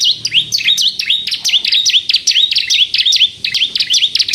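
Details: A bar-winged prinia in full song, the 'kristal' style used as a lure to provoke other birds to sing, delivers brisk, high, tinkling chirps with sharp upward flicks in an unbroken, hurried sequence, with a faint low hum beneath.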